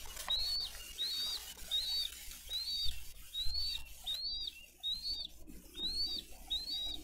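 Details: Bald eagles bringing fish to their eaglets at a Dade County nest, 22 April 2023: about ten clear, high, arched whistled chirps repeated evenly, under a background hiss.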